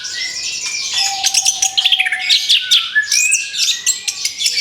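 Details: Orange-headed thrush after its moult: rapid, chattering song of quick repeated high chips and sliding whistles building in pace, over faint steady background tones.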